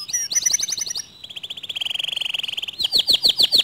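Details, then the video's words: Canary song meant to get other canaries singing: a high chattering trill, a long lower rolling trill of rapid beats, then loud descending whistled notes. "Suara Kicauan Kenari ini Sering Kali Memancing Emosi Kenari Lain Agar ikut GACOR DOR"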